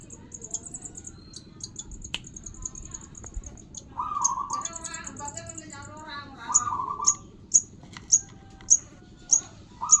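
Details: Sogon bird chick calling: sharp, very high clicking chirps repeated about twice a second in the second half, with raspy mid-pitched churring bursts before them, over a steady low hum and faint background chatter.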